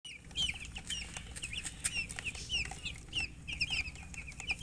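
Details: Chicken chirping, together with a hen (murgi) and coloured chickens: many short, high, sharply rising peeps. They overlap from several birds in quick, uneven bursts. Faint low rumble and scattered clicks sit underneath.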